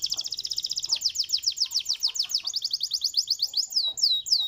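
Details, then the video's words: Canary singing to set off other canaries: a long run of rapid down-slurred notes repeated several per second, then slower swooping whistles near the end, bright and high-pitched. "KENARI MANAPUN BAKAL NYAUT DENGAR SUARA KENARI INI"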